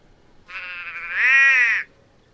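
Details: Nasal, drawn-out call of a White-bellied Go-away-bird, starting softer and swelling into a louder, slightly wavering bleat that lasts over a second before cutting off.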